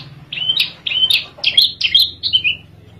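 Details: Oriental skylark from Java, kept in a cage and singing at rest: five or six loud, clear chirps in close succession, each a brief bright slur, with faint low rumble beneath.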